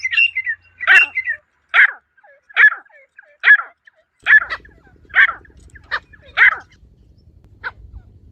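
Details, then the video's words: Female partridge (teetar) from the wild giving its natural call: a series of about nine sharp, clipped notes, each spanning a mid-to-high pitch band, repeated roughly every 0.8 seconds, with a faint low hum underneath in the second half. "مادہ تیتر کی قدرتی پکار"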